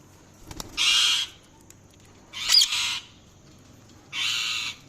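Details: Three coarse, buzzy parrot squawks about half a second long, separated by pauses of one to two seconds, with a couple of faint clicks in the background.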